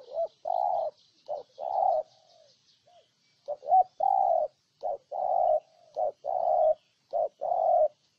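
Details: Spotted dove in Ninh Thuận, Vietnam, cooing loudly in repeated phrases: a short note, a quick rising double note, then a long steady low coo, roughly every two seconds with brief pauses; faint distant doves answer.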